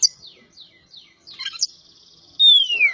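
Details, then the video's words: Javan poci Oriental magpie-robin song: a few soft, high, descending twitters, then a loud pure whistle sliding steadily downward at the end. "BURUNG KACER POCI JAWA"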